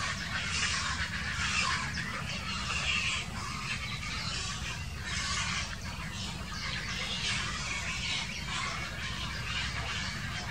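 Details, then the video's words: Grey herons in a dispute, filmed in 2018. Hoarse, grating squawks come in irregular bursts throughout, some overlapping, over a continuous low background rumble. "Streit an Ort und Stelle (Graureiher)"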